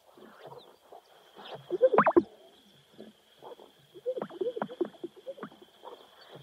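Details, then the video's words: Sage grouse giving low, bubbling pops and gurgles in two short bursts, with one sharp pop near the middle, over a thin steady high hum. "Grouse Sage Bird Calls"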